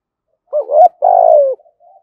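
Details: Spotted dove in 'thúc gù' cooing style with a deep 'giọng thổ' voice: a brief rounded note rising into a clipped accent, then a long, steady coo sliding gently downward, ending with a soft trailing murmur.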